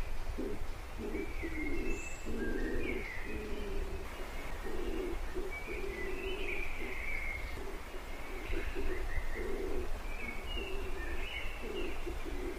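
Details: Pigeons cooing in low, hollow phrases of about half a second, repeated with short gaps, while small birds chirp higher up and a steady background hum runs throughout.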